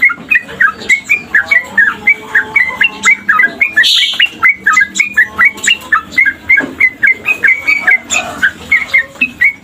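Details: Tame male sooty-headed bulbul singing vigorously, a long unbroken string of quick, bouncy chirped notes around four per second, with a brief noisy burst midway.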